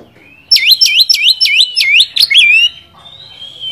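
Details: Oriental magpie-robin (kacer) song meant to provoke a rival bird: a loud run of about seven swooping down-up whistles, rapid and rhythmic, ending in a drawn-out fading whistle.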